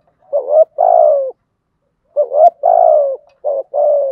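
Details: Low mellow spotted dove coos used as a lure to make wild males call: a brief wavering opener, then a long downward-sliding coo, repeated twice, ending with an extra short note and a final coo.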